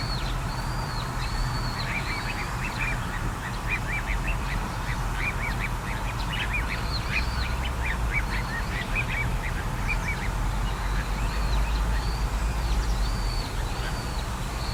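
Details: Little ringed plover, recorded on a date given as 21 04 14: a run of high, down-slurred whistles mixed with shorter chirping notes, repeated through most of fifteen seconds, set against constant low rumbling noise.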